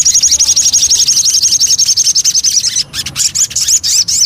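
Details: Lure song of a Javan cochoa: an even, very fast high trill lasting nearly three seconds, then scratchy twittering with looping whistled notes.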